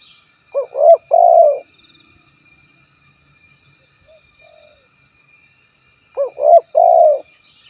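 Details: Two full phrases from a spotted dove about five and a half seconds apart, each a quick doubled note, a swelling coo and a long sustained coo, with a faint soft coo in between.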